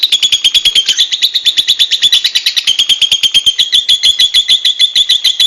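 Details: Free-living lovebirds in the wild give a steady run of piercing, high-pitched chirps, roughly two every second, clustered into busy twittering chatter with no other sounds.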